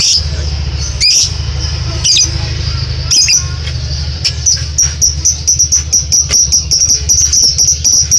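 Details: A lovebird gives a few scattered sharp chirps, then launches into a fast, even series of high clicking notes that builds into ngekek trilling, with a low rumbling hum beneath.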